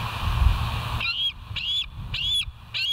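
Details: Bald eagles at the West End site, filmed by a live nature camera on 13 September 2023. Four loud, high, arched notes with bright overtones follow about every half second after a second of low rumbling background noise.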